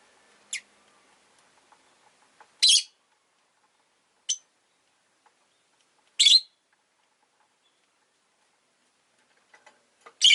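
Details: A pair of pet rosy-faced lovebirds huddled at an entrance make scattered screechy chirps, a few loud harsh bursts separated by long pauses, with faint soft clicks and ticks between them.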